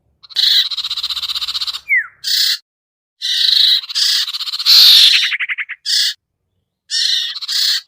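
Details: Trapping lure of the sirtu bird: long grating, buzzy chatter bursts separated by pauses, a brief falling whistle, and a short run of rapid clicking pulses near the middle.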